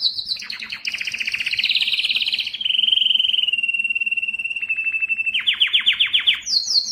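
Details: Song of a yellow canary: high pulsed phrases, then a sustained smooth trill. It ends with rapid rhythmic rolling notes and a final high chirped burst.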